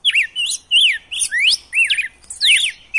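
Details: Red-cowled cardinal giving wild-style song used to warm up captive males into singing: bright whistled phrases sweeping up and down, looping notes in quick succession with short gaps, clean background.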